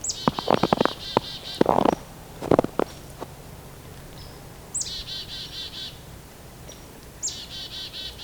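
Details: Hairy Woodpecker calling in the distance from a roadside wood lot of cedar, poplar, birch and maple during a December–January Christmas Bird Count: high, squeaky runs of rapid notes, three times; loud knocks and thumps early on.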